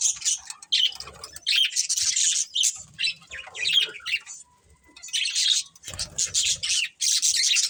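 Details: Breeding pair of budgerigars chirping: dense bursts of scratchy, high warbling chatter, broken by short pauses, with a quieter stretch around the middle and a loud burst near the end.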